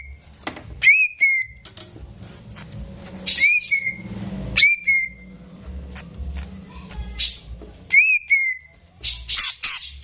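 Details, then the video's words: Greater green leafbird, a caged bird in full song, kept as a stimulus for untrained birds: loud whistled notes that snap upward then slide down and hold, repeated every second or two, broken by harsh rasping bursts. "CUCAK IJO GACOR || PAS BUAT PANCINGAN BURUNG BAHAN"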